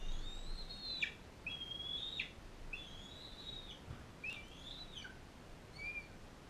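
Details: Captive bald eagle setting with a non-releasable adult female fostering an eaglet from Powell River; clear high whistled calls, level then sharply falling at each end, about four in a row, then a fainter short note.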